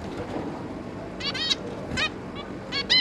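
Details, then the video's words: A zebra finch family with three juveniles, May 2022: after a quiet start, a few quick nasal beeps come in short clusters near the end. "Zebra Finch"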